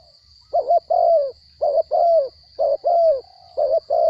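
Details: Spotted dove in captivity, originally wild-caught and small-voiced, cooing in a regular series. It gives four phrases of a short double note and a longer falling coo, close to one per second, over a faint constant high tone.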